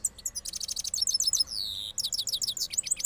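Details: Cross goldfinch from Parachinar singing its rolling song after moulting: a dense run of high, thin twittering notes, with trills and one longer sweeping slur in the middle, packed tightly for three seconds.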